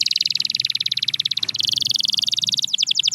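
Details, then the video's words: Canary delivering a continuous rapid rolling trill, very fast even pulses that shift pitch midway and break into a few quick sweeps at the end, over a low background rumble. "Watch Silent Canaries Start Singing Again – Magical Sound Inside!"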